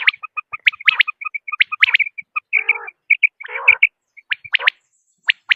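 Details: Common quail, from a hunting lure recording of male and female calls: rapid high chirping notes mixed with sharp clicked phrases and two lower, rough, buzzy bursts midway.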